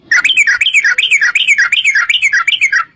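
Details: Sooty-headed bulbul in energetic 'gacor' form, giving a long rapid 'ropel' series used as a lure to get other bulbuls singing: bubbly, warbled notes rising and falling, repeated almost three times a second without pause.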